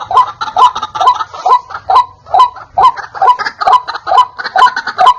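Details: White-breasted waterhen call played as a lure to attract wild waterhens: loud, clear, harsh double croaks repeated rhythmically about twice a second, even and unbroken throughout.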